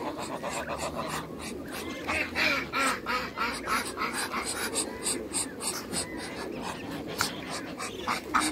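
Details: Muscovy ducks, a young chocolate male and a giant white male, in a farm backyard; rapid, breathy, rasping bursts repeat in quick irregular succession over steady background farmyard noise.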